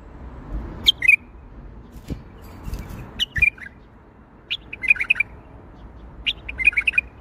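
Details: Bulbul Baghdadi-style song: scattered whistled notes and short warbled phrases, turning into busier runs of quick notes toward the end, with some low knocks and handling noise in the background.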